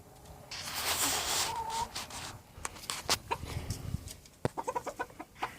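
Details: A pet rooster that crows all day, let out for the first time, gives a harsh, ragged crow of about a second, followed by a run of short clucks and clicking knocks close by.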